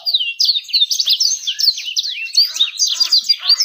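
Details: Fast, bright twittering song used as a lure to attract females: tightly packed high chirps and quick slurred notes in an unbroken tumbling stream, with one lower whistle early on.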